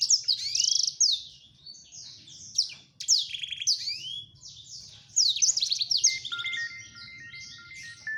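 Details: Male black-throated canary singing to court a female: fast, high twittering song of sliding whistles and buzzy trills, phrases in bursts with short pauses; a steady electronic-like tone appears near the end.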